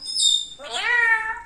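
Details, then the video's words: Indoor parrot talking in a kitchen: a bright high whistle, then a rising, sustained harmonic voice-like note. "parrot talking കിച്ചണിൽ വന്നിരിന്നു സംസാരിക്കണത് കേൾക്കു ഞെട്ടും"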